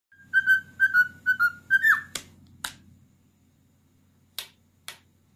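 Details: Pet cockatiel, a ten-year-old male kept indoors, whistling the Addams Family theme: a run of clear, slightly falling whistled notes lasting about two seconds, followed by sharp snapping clicks and a low indoor hum.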